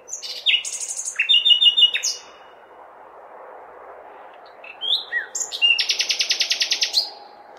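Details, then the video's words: Common nightingale song on a May night in a large city, sung to call females: two phrases mixing high whistles with buzzy, rattling note series, separated by a pause, over steady traffic-like hum. "Śpiew słowika (nightingale)"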